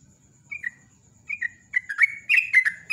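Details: Lure song of a sooty-headed bulbul in rapid ropel style: two separate liquid, downslurred double notes, followed by an accelerating burst of gurgling whistles.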